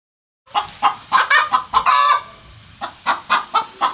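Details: Hen calling after laying an egg: a run of short, sharp clucks about every third of a second, with a longer harsh squawk near the middle, then more evenly spaced clucks.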